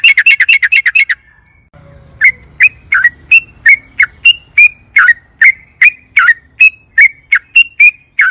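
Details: Yellow-vented bulbul (trucukan) in lively, agitated long-rolling 'ropel panjang' song used as a lure to make other trucukan sing: rapid chattering notes, about three per second, a fast burst then a short gap, then steadier repeated notes.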